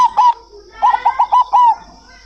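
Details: Zebra dove (local perkutut) cooing: two short opening notes, a pause, then a fast string of four rolling coos ending in a longer drawn-out note, all at a steady mid pitch.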